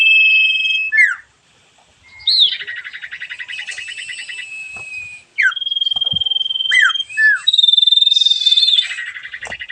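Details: Sirfu, the sooty-headed bulbul, delivering vigorous song: steady whistles, sharp falling slurs, long buzzy pulsed trills and a high rapid trill, repeated in several bursts.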